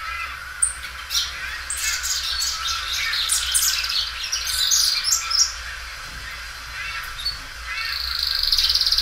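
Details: Belgian canary, a well-kept singing bird that sings loudly and stretches its song many times, delivering a bright high warbling run of quick chirps and trills with short pauses, ending on a steady high buzzy note.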